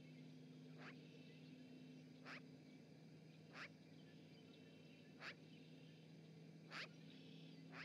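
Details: At a Montana osprey nest in Charlo, a magpie heard via live webcam on 7 March 2018 utters five rasping notes about one and a half seconds apart, with a steady low-pitched hum underneath.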